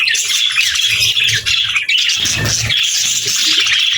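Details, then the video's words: A busy budgie flock keeps up high, rapid chirps and warbled chatter throughout, with a short low rustling thud in the middle. "Budgies Chirping Sounds"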